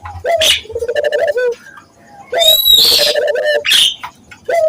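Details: Barbary dove coo, a lure for training local doves to sing: pulsed low coos with short rising notes, partly masked by loud harsh high-pitched bursts of another sound.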